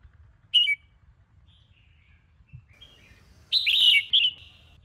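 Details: Morning training song of a red-whiskered bulbul: a brief chirp, a pause, then a longer rich warbled phrase with a short follow-on note, over faint low background hum.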